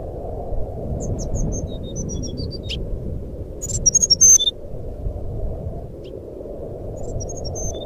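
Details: Jungle flycatcher fluting, played to make a silent bird sing: scattered soft high whistles, a loud quick burst in the middle, then faint notes again, with steady low hiss beneath.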